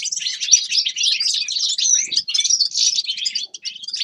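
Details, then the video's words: Steady high twittering song of a grey-crowned goldfinch, a busy stream of chirps, trills and short buzzes running almost without pause. "Седоголовый щегол Carduelis caniceps певчая птица"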